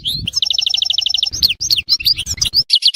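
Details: European goldfinch singing at Tissemsilt: a rising twitter opens into a fast, even trill of bright metallic notes, then tumbling liquid twitters and a closing run of three sharp chirps.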